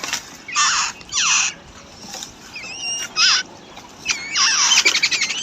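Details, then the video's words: Babbler chicks in the wild, fed and defended by a parent, give harsh rasping bursts and twisting squeaks, ending in a rapid stuttering chatter. "Wild Babbler Bird Feeding And Protecting To Her Chicks"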